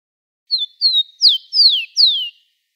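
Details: A captive-bred Rufous-collared sparrow (Zonotrichia capensis), recorded live as a tutor song for young birds, sings a clear phrase of five high, slurred whistles, each sliding downward, the last three longer and steeper, lasting about two seconds.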